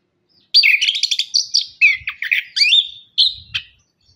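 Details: Lively orange-headed thrush lure song for caged thrushes reluctant to sing after moulting; a loud, continuous jumble of chattering, warbled and slurred whistles with rising and falling notes, ending in short sharp phrases.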